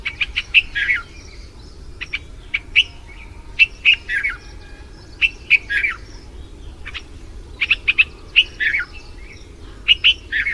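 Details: Red-vented bulbul calling to a mate after the monsoon in India, with crisp clipped chirps and rapid little note groups tumbling out in short bursts over steady low background noise.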